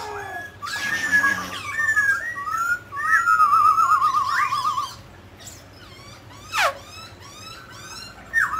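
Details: Mutant grey laughingthrush singing as it dances, mixing harsh bursts, short whistled slurs and a quavering trill, then quieter scattered notes and one sharp downward sweep.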